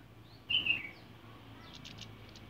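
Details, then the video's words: A captive male orange-headed thrush courting a female gives a brief, bright burst of high whistled notes, followed by faint, thin twitters over a quiet background hiss. "Burung kemade/cabe cabean proses jantan merayu betina"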